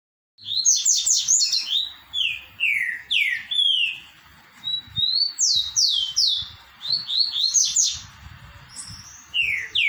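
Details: Green-winged saltator singing the song style called "3 notas boi": loud, clear whistled phrases of slurred notes, some falling and some rising, delivered in quick bursts with brief pauses and a few thin high notes between them.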